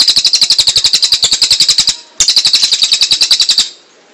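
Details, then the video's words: Two bursts of quick, evenly spaced high rattling notes from a cililin, the second ending abruptly and fading into quiet. "SUARA BURUNG - Masteran Terbaik Cililin"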